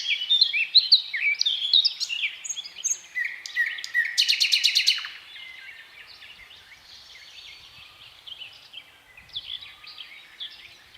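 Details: Thrush nightingale singing: a powerful, varied song with slow, measured strophes. Quick chirps and whistles open the clip, then a loud, fast, dry rattling phrase, followed by softer scattered notes.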